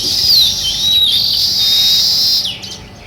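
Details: Sparrows chirping in the morning at a village: a dense, continuous high chorus of overlapping chirps and thin whistled notes that fades near the end.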